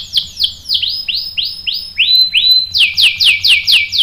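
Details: Singing canary whose bait song is meant to provoke a male's response: clear whistled notes, each swooping downward, delivered in evenly spaced phrases. They switch to a lower flat-topped note type, then return to higher falling whistles.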